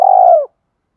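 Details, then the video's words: Spotted dove giving a single 'thổ'-voice coo, used to train decoy birds to coo and provoke fighting: one smooth, steady note that falls slightly at its end and lasts half a second, followed by silence. "Tiếng chim cu gáy giọng thổ pha thúc đấu vấy bổi, dùng tập bổi và tập mồi gáy theo cả ngày"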